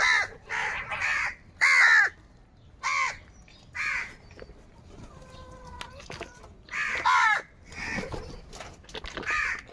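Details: Crows squabbling over food in the morning flock give loud, raspy caws, some in quick doubles and others singly, scattered over ten seconds. Faint thin whistles come from another bird in between.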